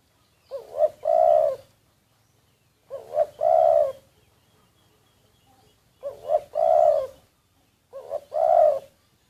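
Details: Spotted dove kept as a decoy bird, recorded covertly: low, mellow coos in four phrases, each a short note followed by a longer rolling coo, repeated about every two to three seconds with quiet gaps between.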